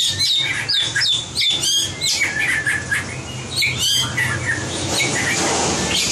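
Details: White-rumped shama competition singing for voice training: dense varied high notes and chattering phrases with brief pauses, ending in a wash of faint notes, over a low hum.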